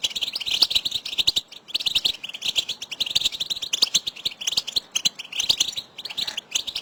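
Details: Several goldfinches in a lively 'betbeta' chorus of contact calls meant to excite males and prompt singing. Unbroken stream of high, liquid twitters and sharp clicks with varied rhythm.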